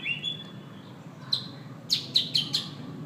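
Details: White-rumped shama singing: a thin rising whistle, a pause, then a sharp note and a quick series of four loud, clipped whistled notes over a steady low background hum.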